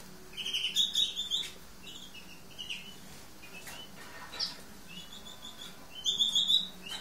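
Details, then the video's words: Lesser goldfinch (Carduelis psaltria hesperophila, green-backed) sings a high, twittering song of quick buzzy chirps and thin whistles, coming in bursts with short pauses between. "Lesser Goldfinch"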